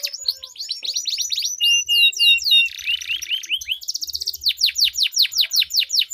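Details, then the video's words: Canary duel in long rolling song to prompt other canaries to sing; quick trills, a harsh buzzy burst in the middle, then a run of loud regular downslurred notes. "Duel Burung Kenari Suara Merdu Ngerol Panjang || Pancingan Ampuh Kenari Macet Gacor Ngerol Panjang"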